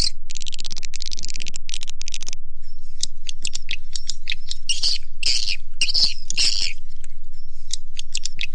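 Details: Swiftlet lure call meant to draw swiftlets to farm buildings in Indonesia: harsh buzzy chatter, then thin whistles mixed with sharp clicks and loud grating bursts.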